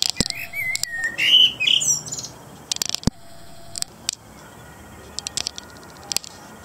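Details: Common blackbird singing an evening song: a fluted, warbling phrase of rising and falling whistles for about a second, followed by scattered sharp clicks and ticks over a quiet background.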